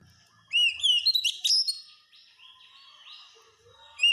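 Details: Oriental magpie-robin song used as masteran, a tutor recording for caged birds to make them sing readily: a burst of loud, clear whistled and slurred notes with sharp upswept chirps, a pause, then another bright phrase.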